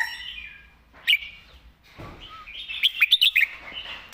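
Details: Caged red-whiskered bulbul sings loud southern master-song phrases, a warbled opening, a sharp note, then a quick rattle of clipped high notes and a final warble.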